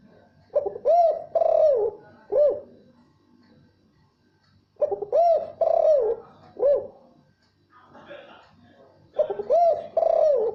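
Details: Spotted dove cooing to attract a female, giving three similar phrases about four seconds apart, each with two rounded low coos and a shorter final note, with a faint murmur of voices between phrases.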